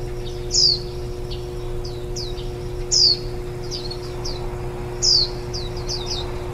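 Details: Warbling white-eye nest, nestlings fed on their tenth day, one day before fledging, 23 July 2018, microphone on a tripod four metres up; loud descending chirps about every two and a half seconds amid short high twitters.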